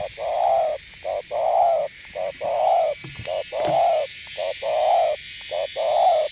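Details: Spotted dove of the Northwest Vietnam type giving the gù (bo) style of cooing: low hooting coos in short-then-long pairs, about one note per second and fairly steady, over a constant high hiss.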